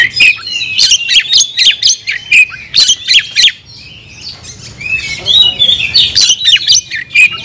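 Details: Oriental magpie-robin kept in a cage, singing 'nagen' style: a run of sharp, harsh chirps and whistles, a brief pause near four seconds, then more fluid whistled phrases.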